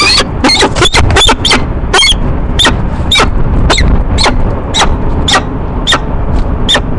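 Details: Courting peregrine falcons, a pair at a nest box on a Rochester, New York building, March morning; loud, raspy chupping notes in a quick series at first, then spaced roughly every half second, over low background rumble.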